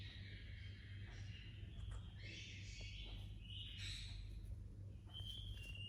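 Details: Young rose-ringed parakeet giving raspy, buzzy chirps with rich overtones, about five uneven bursts with brief gaps. The last few are thinner and more whistled, set against a constant low electrical-sounding drone.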